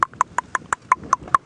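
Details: Bearded woodpecker drumming as a territorial call, unseen in a thicket, on an evening safari drive in South African bushveld on 10 January 2017: eight hard, wooden knocks at about five per second, with no other sounds.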